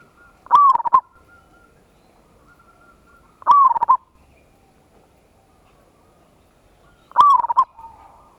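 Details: Local zebra dove with a big voice singing a ngayer kerot nutut lure song meant to draw a quick response. Three loud rolling coo phrases repeat about every three and a half seconds in an otherwise quiet background.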